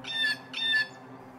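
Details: On a foggy late-June morning in woods where Blue Jay families tend newly fledged young, an adult male sounds the alarm as crows pass: two harsh, nasal jeers, each about a third of a second long and half a second apart, over a faint hum.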